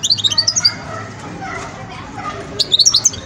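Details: Young European goldfinch in the song-learning stage, giving short bursts of high, thin twittering notes at the start and again near the end, with a quiet gap between them and faint background noise.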